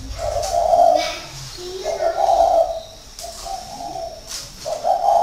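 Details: Spotted dove kept six years as a caged decoy in Ba Vi, Vietnam, 2019, cooing repeatedly in deep soft phrases, with faint human voices beneath.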